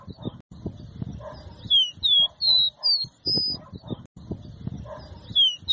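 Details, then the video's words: Caboclinho seedeater singing the 'dó ré mi' song style used for teaching young birds: a phrase of clear whistled notes, first down-slurred, then short rising slurs, ending in a long steady whistle, over a low rumbling background. "CANTO DO CABOCLINHO DÓ RÉ MI | canto para encarte"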